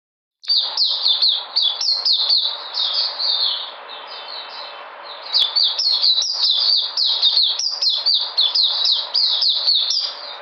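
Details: White-eye, known locally as puteh, recorded 13 February 2020 regaining energy: fast high twittering song of short sweeping notes repeated rapidly in a continuous stream, a brief pause near the middle, then resuming just as busily.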